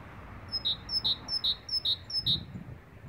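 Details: Great tit, described as a cheerful whistler, singing a clear two-note phrase over and over. A thin high note is followed by a lower, ringing whistle, five times in a steady rhythm about two and a half per second, with a soft background hum.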